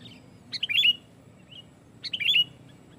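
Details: Sooty-headed bulbul giving loud provoking song meant to draw other bulbuls: two clear phrases of rising and falling whistled notes about one and a half seconds apart, with a soft note between.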